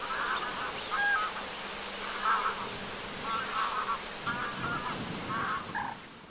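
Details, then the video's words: Flying greylag geese at sunset on the shore of Lake Vänern, Sweden, 13 August 2023: clear nasal honks given in an uneven series, roughly one every second, fading out at the end over faint low background noise. "OIES Cendrées/Vols/Coucher du Soleil ! BRUITX"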